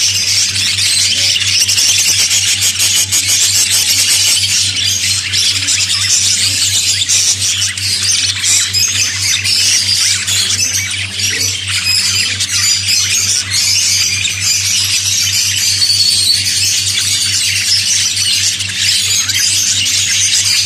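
Budgerigars chatter nonstop in a busy flock, a high scratchy warbling of chirps and squeaks.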